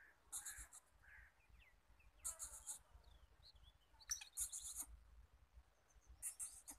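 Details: Black francolin (kala teetar) calling rapidly: harsh, grating phrases burst out about every two seconds, with several birds calling, and softer chirps from other small birds between phrases.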